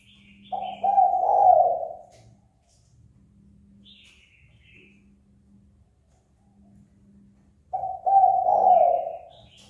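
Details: Spotted dove calling to rouse a rival to fight. Two low, hoarse coo phrases stand about seven seconds apart, each rising and then fading. Between them come a quiet low hum and faint high chirps.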